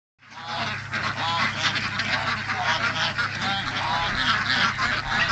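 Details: Heritage breed ducks kept at a small preservation farm, a crowded flock calling together: a dense, continuous chorus of harsh, overlapping quacks and honks with no pause, over a steady low mechanical hum.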